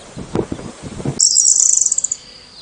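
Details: Bird chirping in a fast, very high trill of about fifteen quick, evenly spaced notes that speed up and fade within a second. Rustling and handling thumps come first, and a thin high tone lingers briefly afterwards.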